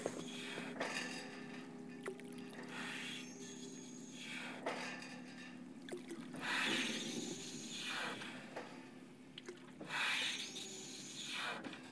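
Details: Steady mechanical hum with repeated broad whooshing, splashing bursts like water or a boat; no animal calls are heard.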